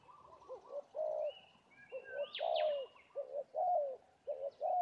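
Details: Spotted dove, a Labuan fighter lure bird at Laman Sungai Lada, calling in a territorial fight: rhythmic, mellow low coos in short grouped phrases, with thin high chirps and whistles of other birds overhead.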